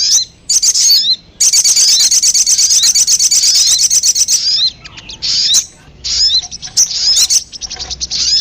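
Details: High sogon (ruby-cheeked sunbird) lure calls: a few shrill chirps, then a sustained rapid trill of rattling high notes for about three seconds, breaking into scattered thin whistles and quick chirps.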